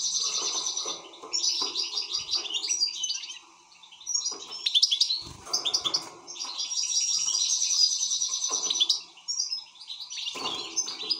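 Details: Excited European goldfinch singing busy twittering phrases mixed with long rattling, buzzy trills, a brief quiet break midway.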